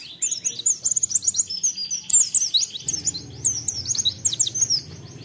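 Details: White-eye song used as a lure to stimulate other birds to sing: fast, high twittering of short sweeping chirps and trills, nearly continuous, with a brief pause near the two-second mark and a faint low hum beneath.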